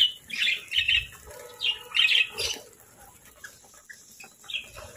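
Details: Pet parakeets at their morning feeding, with breakfast of fresh fruit, seeds and grains: bright, high chirps come in quick clusters of two or three during the first half, then fade to scattered soft peeps amid quiet background rustling.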